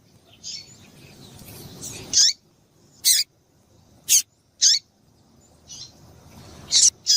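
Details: Female double-collared seedeater piado, used to excite males into singing, given as short sharp high chirps, often in quick pairs, spaced irregularly about a second apart, with a faint low rumble between notes.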